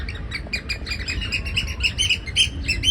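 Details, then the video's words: A Eurasian oystercatcher in a city gives shrill, piercing whistles in rapid, overlapping bursts several times a second, over a steady low rumble of city traffic. "Tjelde Whistle sound"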